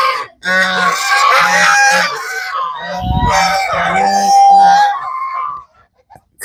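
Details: At feeding time on a Cambodian village farm, a flock of geese keeps up a steady, raucous chorus of rough honks and nasal cries for about five seconds before falling quiet.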